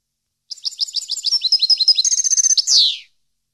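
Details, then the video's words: Training song of the European goldfinch for captive birds: about twenty quick, sharp, tinkling notes speed up into a fast chattering trill, then one rasping, falling buzz ends the phrase. "Canto Para Educar Jilguero"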